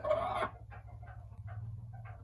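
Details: Black Japanese bantam broody hen: one loud, harsh call lasting about half a second, then a few soft, quiet clucks over a steady low electrical hum.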